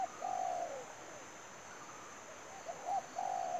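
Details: Spotted dove used to lure others into a trap gives a long, smooth coo. After a quiet gap come quick short notes and another drawn-out coo. A steady high tone persists.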